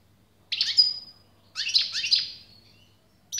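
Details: European goldfinch giving short separated bursts of twittering song, each a quick cluster of chirps with a trailing thin tone, spaced by pauses of about a second.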